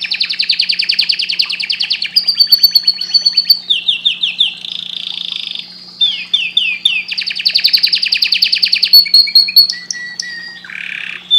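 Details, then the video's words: Canary in full song: long rapid rolling trills alternating with series of downslurred whistles and buzzy tours, phrases changing every second or two, loud and continuous over a faint low hum. "canário cantando muito"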